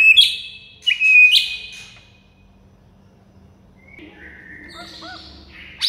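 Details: Shama (murai batu) tutor song meant to provoke a mute bird: two loud whistles, each opened by a sharp click, then near silence, with faint soft twittering and a final chip.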